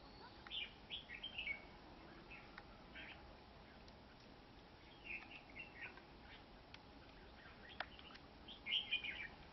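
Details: Two male red-whiskered bulbuls kept indoors as fighting birds give short bursts of bright, chattering whistled notes every second or two, some sharp and slurred, over a steady low hiss.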